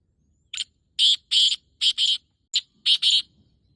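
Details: Black francolin male calling in the breeding season, 14 May 2024 at about 5:15: a harsh, scratchy phrase of a brief note, two drawn-out rasps and a rapid pair, then the same clipped opening and final pair repeated.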